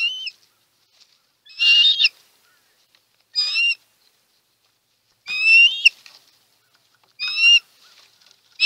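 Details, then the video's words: Osprey calling at a Chesapeake nest during a food delivery, 23 March 2018, live camera: brief, high, upslurred whistles spaced irregularly about two seconds apart against near silence. "BIG delivery for Audrey at Chesapeake Ospreys nest"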